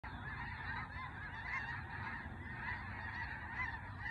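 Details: Snow geese flying overhead. A flock gives a dense, continuous chorus of overlapping nasal honks, steady and unbroken for the whole stretch, over a low rumbling background.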